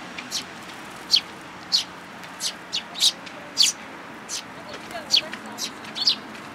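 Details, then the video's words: Feeder in a plum tree at a Tenmangu shrine, 21 June 2022: sparrows and a new fledgling. Single high, clipped chirps come every half second to second, uneven in spacing, against a soft hiss. "梅の木の餌場に来る雀達 新入り君の雛鳥"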